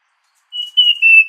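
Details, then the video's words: An orange ground thrush gives one long, clear, high whistle, nearly level in pitch and dipping slightly toward the end. It is cut off by a brief click. "Orange Ground Thrush Song"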